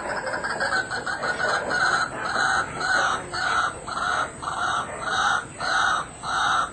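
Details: White-breasted Waterhen, one of the everyday sounds heard in Kuala Lumpur, Malaysia, giving loud, harsh, mid-pitched calls repeated in an even rhythm, nearly two per second, with short gaps between bursts.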